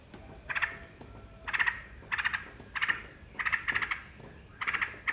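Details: Yellow-vented bulbul singing, played as a lure so other birds join in: short chattering, gurgling bursts repeated roughly every half second to second, each a cluster of rapid notes.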